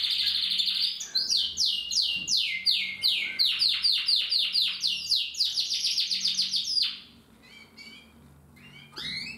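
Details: Older cock canary resuming song practice after moulting: a fast rolling trill of rapid repeated high notes for about seven seconds, then quieter scattered chirps and a final rising note.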